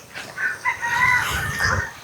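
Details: Native chickens at a farm in the Philippines, with one giving a wavering, drawn-out crow of about two seconds over a steady background hum.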